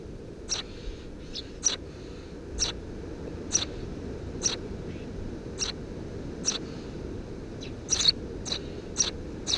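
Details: Nestling Eurasian tree sparrows, three chirping chicks under a house roof in June 2017, utter a rapid series of thin high chirps, some paired, roughly every second, against low-pitched background noise.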